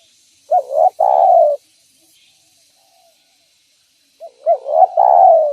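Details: Lure call of a spotted dove: two phrases about four seconds apart, each made of short, soft rising hoots and then a drawn-out, slightly descending coo, clean and close.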